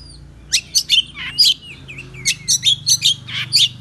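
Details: Morning song of an Oriental magpie-robin, played to agitate other birds into singing; rapid bright chips and sharp high notes, some slurred, delivered in quick bursts over a faint low hum.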